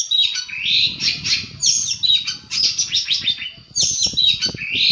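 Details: Long-tailed shrike master song used to rouse stressed birds to reply: dense, continuous high chattering and buzzy warbled phrases with a few clear whistles, over low background rumble.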